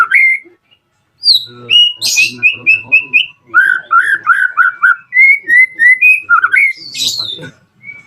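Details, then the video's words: White-rumped shama song used as a lure to provoke rival birds into answering; loud, varied whistled phrases in quick succession, some rising and some falling, with brief buzzy bursts and faint low background sound. "PANCINGAN AMPUH MURAI BATU AGAR CEPAT BUNYI - Sekali putar langsung nyaut dan respon"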